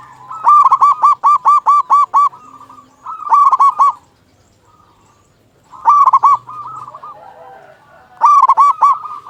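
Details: Loud, lively song of a local zebra dove, meant to lure other zebra doves into song. A run of about eight sharp, ringing coo notes opens, then shorter staccato bursts follow after pauses.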